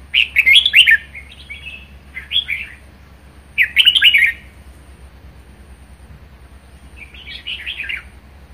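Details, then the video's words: Caged red-whiskered bulbul in strong 'ché' song: four rich, chattering bursts of quick slurred whistles, each under a second, separated by short pauses, the last one softer, with a low hum behind. "Chào mào hót hay | chào mào ché hay | chào mào siêu ché"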